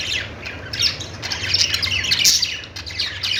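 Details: Several budgies chattering with a steady stream of overlapping high chirps, harsh squawky notes and quick twittering, almost without pause, against a low background hum.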